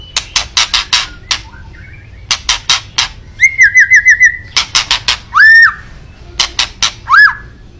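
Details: White-rumped shama in kretekan style, meant to provoke a rival's emotion: bursts of sharp, dry clicks alternate with clear whistled notes. Some whistles are rising and slurred, others come as a quick run of repeated pure tones.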